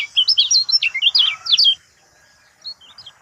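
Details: Kept lemon-bellied white-eye (kecial kuning) sounds a lure song meant to get a silent bird singing: quick high chirpy twittered phrases for nearly two seconds, then a pause and a few softer short chirps.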